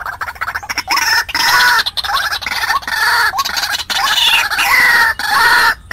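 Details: Decoy white-breasted waterhen calling to attract wild birds for trapping: rough, harmonic croaks with short rising hooks, delivered in quick runs of roughly one and a half notes per second, separated by brief pauses.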